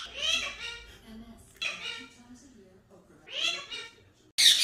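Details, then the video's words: A green talking parrot gives three harsh, rasping, voice-like calls about every second and a half, then a sudden loud burst of noise cuts in at the end. "Green Talking Parrots Natural Sounds"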